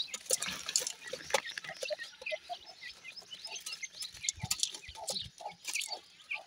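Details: Several young grey francolin chicks give brief, high, squeaky peeps in quick uneven series, many voices overlapping, over scattered tapping and rustling sounds.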